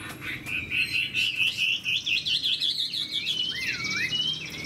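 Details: Chinese hwamei in moult sings a run of pulsing, wavering whistles that rise in pitch, then finishes with deep looping slurs.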